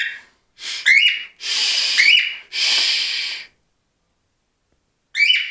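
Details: Two pet cockatiels indoors on 25 December screech, giving harsh, hissing screeches in four bursts over five seconds, each broken by short, rising whistled notes.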